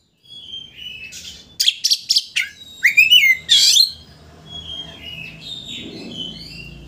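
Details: Oriental magpie-robin (kacer) sung as a provoking lure to make a rival open its tail: a short burst of rapid rasping and whistled notes, followed by softer scattered twitters over faint room hum.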